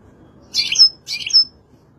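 European goldfinch giving two quick, bright twittering phrases, each ending in a thin high whistle, about half a second apart.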